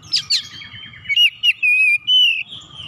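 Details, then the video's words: An Oriental magpie-robin, called a lazy bird that seldom sings, here in full song: a pair of sharp chirps, then a string of clear whistles rising into long, wavering sustained notes, with soft low hum throughout. "Kacer malas susah bunyi sekali dengar langsung gacor"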